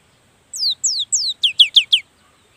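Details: Cinereous tit, played as a lure to set other birds singing, delivers seven sharp descending whistles, the first three longer and the last four shorter and quicker, against near silence.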